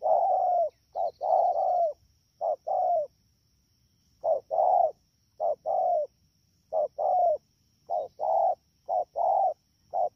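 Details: Fast cooing from a wild-caught spotted dove at Dak To, 3/10/2019: short coo then drawn-out descending coo in pairs, delivered in quick bursts separated by brief pauses, with a faint constant high tone behind.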